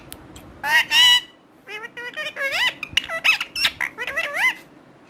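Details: A loud raspy squawk from a talking parrot, followed by a fast sequence of mimicked speech syllables with warbling, looping pitch.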